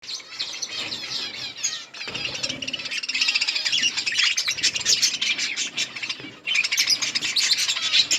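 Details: Budgerigars in a colony eating green leaves, a dense continuous chatter of many overlapping warbling chirps and twitters, with a short lull around two seconds before the busy chorus resumes.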